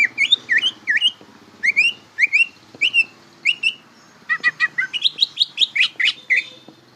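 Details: Young greater green leafbird learning its song: repeated upslurred whistled notes in loose pairs, followed by a quick stuttering cluster and rising whistles, over faint low background noise.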